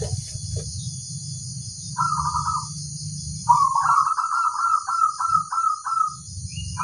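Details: Local zebra dove, a lively singer used as a master bird for other doves to copy, gives a rapid pulsed cooing phrase, a short burst, then a longer run of quick beats slowing near the end, over a low steady hum.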